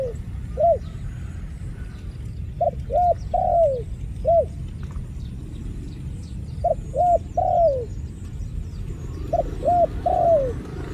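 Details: Dove cooing in short soft phrases of three or four hollow notes. The last note of each phrase is longer and falls away. Phrases repeat about every two and a half seconds over a steady low rumble.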